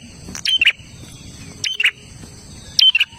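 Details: Olive-backed tailorbird giving three loud song phrases. Each is a sharp whistled note followed by a harsh buzzy flourish, separated by pauses of over a second. A steady high-pitched drone continues behind.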